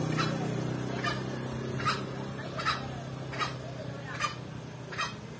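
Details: A male green junglefowl repeats clipped, hoarse notes roughly every 0.8 seconds while a droning low hum runs underneath.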